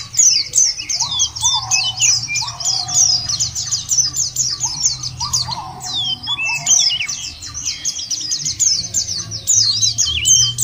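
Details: White-eye singing, used as a lure to prompt birds to sing: long runs of rapid high twittering and chirps, overlapping birds, with short lower whistled phrases recurring in the background.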